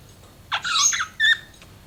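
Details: Pet budgies chirping: a scratchy, warbling chatter lasting about half a second, then a shorter squeaky chirp, in a quiet setting.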